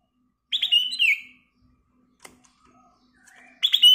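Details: Black-crested bulbul in lively song: two bursts of rich, liquid whistled warbling with quick notes sliding downward, separated by a near-silent pause broken by one sharp click, over a faint low hum.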